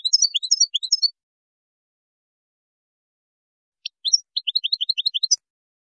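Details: Moroccan European goldfinch performing a Widani-style composition, 2019: a second of dense twittering, a long silence, then a sharp note and a quick run of evenly spaced chirps ending in a buzzy flourish.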